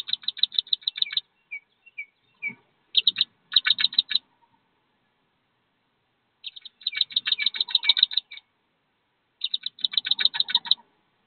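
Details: Wood duck ducklings, a brood of 13, leaving their nest box about 15 feet above ground to follow their mother to the river: rapid bursts of shrill, evenly spaced peeps separated by silent gaps.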